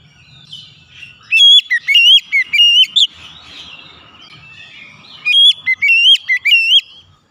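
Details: Song of a white-rumped shama, played to coax a stressed, non-singing bird into full song: two bursts of clear whistled notes with sharp rising and falling slurs, separated by about two seconds of softer warbling.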